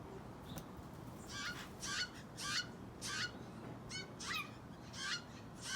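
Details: Fledgling Steller's jay giving a series of harsh, rasping squawks, each about a third of a second long, repeated roughly every 0.6 seconds with a slight descending hoarse edge, over a low steady hum.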